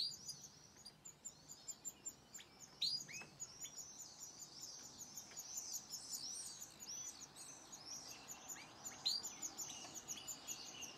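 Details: A domestic canary sings fast, high twittering phrases with sharp rising chips, overlapping with a goldfinch's chattering song over a steady background hiss.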